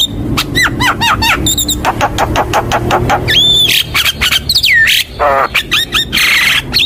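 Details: Javan myna 'gacor' filler song to lure other birds into singing: rapid clicks and ticks, then looping whistled notes, a deep swoop and a burst of harsh rasp.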